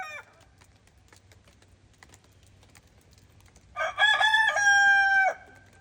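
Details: Araucana chicken on a snowy farm. The tail of one crow opens, then comes a long quiet stretch, then a full cock-a-doodle-doo with a few choppy opening notes and a long, level, held final note.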